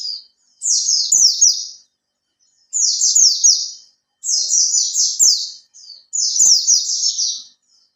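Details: Caged Oriental white-eye, kept for three months and starting to fan its tail, sings a lure song meant to prompt other birds to sing. Its high, rapid twittering phrases last about a second each and repeat four times with short pauses between.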